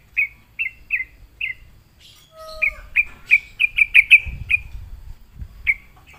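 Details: Sooty-headed bulbul lured into song: four spaced chirps, then an accelerating burst of rapid chirped notes and a final lone chirp, with occasional low thumps.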